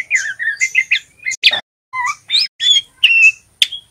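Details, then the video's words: Juvenile male white-rumped shama practising song, meant to make other birds sing: quick jumbled whistles and chips, a harsh crack, then separate rising and falling whistled notes spaced about half a second apart. "SUARA MURAI TROTOL belajar bunyi ngeriwik"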